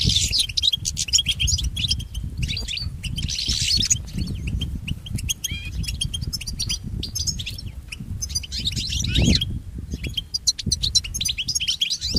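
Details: European goldfinch song for pet goldfinch training, a long flowing sequence of rapid twitters, trills and scratchy buzzes in several bursts, over continuous low-pitched background noise.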